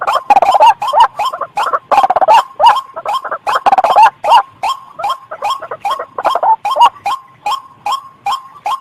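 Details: White-breasted waterhen trapping lure: fast, crowded rasping bursts give way to a more even series of single echoing croaks repeated about three times per second.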